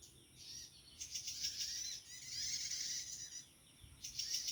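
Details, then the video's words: Wild prinia, among many still present in their natural habitat, giving rapid, high-pitched buzzy pulsed notes in bursts of one to two seconds separated by short pauses. "suasana burung prenjak tamu di alam liar"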